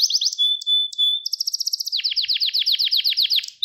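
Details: Gloster canary training song to stimulate males: quick chirps, a steady whistled note, a buzzy roll, then evenly repeated downward slurs about seven per second.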